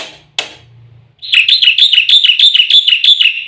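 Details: Black-winged myna song with full fill-in phrases, used as a training recording to make caged birds sing. A brief rasping note, then a fast, steady, buzzy trill of repeated high notes.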